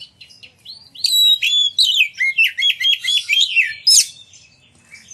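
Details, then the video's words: Lure recording of a lively Oriental magpie-robin that sets other magpie-robins singing and fanning their tails: after a quiet start, a loud run of high, piercing chirps and rapid slurred whistles in quick pulses. "Pancingan Kacer Gacor Ngeplong Nembak! Buat Kacer Lain Ikut Buka Ekor Keluar Isian"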